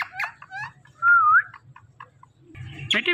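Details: Indian ringneck parrot flock: a few short chirpy notes, then a loud, smooth whistle that wavers and rises at the end. Scattered soft chips follow, with harsh broadband noise near the close.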